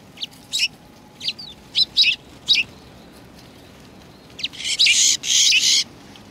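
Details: Sparrows come for food at a Tenmangu shrine on 7 February 2020, uttering a series of short bright chirps, some doubled, followed by a cluster of loud rasping bursts close together.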